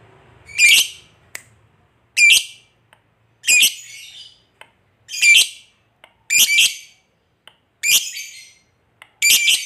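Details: Lovebird, a fighter-type bird used to provoke a lazy lovebird into singing; harsh high squawks repeated roughly every one and a half seconds, separated by faint clicks.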